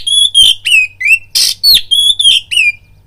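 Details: Oriental magpie-robin lure song for stirring up fighting: loud, sweet whistles that dip and rise, repeated about three times a second, broken by one harsh buzzy note, over a faint hum.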